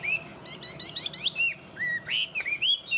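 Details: Chinese hwamei kept as a tame cage bird, singing strongly: a rapid twittering flourish followed by longer looping whistles that climb and dip, ending in quick bouncy notes; low hum in the background.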